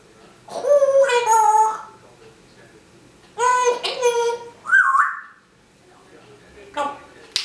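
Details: Pet African grey parrot, out of its cage most of the day and filmed by a secretly placed camera, utters two drawn-out speech-like words with rich harmonics, then a short rising whistled note, in a small quiet room.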